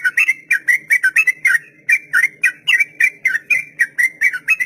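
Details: Sooty-headed bulbul performing the long rapid 'ropel' song meant for training beginner captive birds: quick bursts of slurred whistled notes, some paired, running continuously with a brief gap near two seconds, over a faint low hum.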